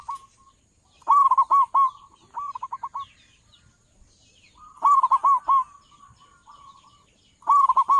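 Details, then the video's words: Loud local zebra dove calling as a lure for bird trappers: three phrases of quick rolling, trilled coos, each a burst of about five notes followed by a softer trailing series, separated by pauses of a few seconds. "perkutut lokal suara besar cocok buat para pemikat burung perkutut"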